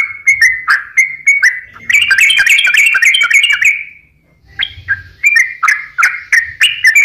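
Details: Sooty-headed bulbul in full song, meant to lure reluctant birds into singing: repeated bubbly whistles, then a dense fast chattering burst that fades to near silence before the whistled phrases return.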